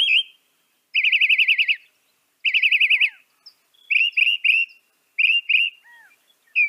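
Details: Northern mockingbird (Mimus polyglottos) singing: a fast, wavering trilled phrase given twice with a pause between, then paired clipped whistled notes repeated in short bursts, with a soft low downslurred note in between.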